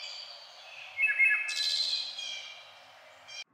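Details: A Wood Thrush singing to defend its territory in fresh green May woods of the eastern United States gives a song phrase: a few clear, flutey notes and a bright, buzzy trill that rings briefly among the leaves.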